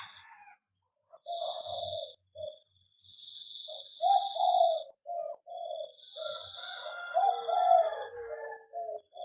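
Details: An aviary zebra dove (local perkutut) produces a sequence of rounded, purring coos. Thin chirps from another small bird overlap in the latter part, along with a faint high hum.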